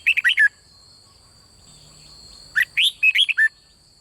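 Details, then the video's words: Doubled-style song of a red-whiskered bulbul, meant to incite birds to sing: a short burst of four rolling, warbled notes, silence, then a longer burst of five or six bright, swooping notes, over persistent high-pitched hums. "เสียงนกกรงหัวจุกเบิ้ล ร้องริก"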